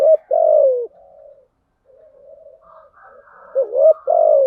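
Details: Lure call of a female spotted dove meant to stimulate males. A long descending coo opens the clip, soft murmuring follows, and then another phrase comes: two quick notes leading into a sustained, gently dropping coo.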